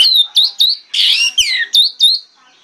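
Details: Morning lure song of an orange-headed thrush meant to prompt other thrushes to reply: sharp high whistled notes in quick succession, broken by a harsh rasping burst and a descending slurred whistle.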